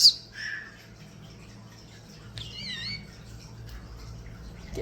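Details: A pet common starling mimics in an indoor bird room: a sharp squawk, then a brief nasal note and a wavering, warbled whistle, over a low indoor hum.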